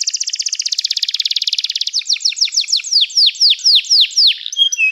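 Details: Canary delivering a rapid buzzy rolling trill, then a chain of downward-sweeping whistled notes repeated about four per second, closing with brief higher chirps.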